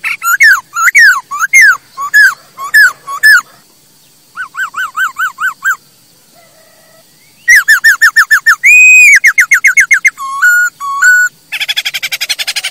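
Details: , Masked laughingthrush song used as a lure and tutor recording for training kept birds: loud, harmonic, downslurred notes in rapid repeated series, switching abruptly between phrase types, including rising-falling trills, a sustained whistled note and a final buzzy, rattling burst.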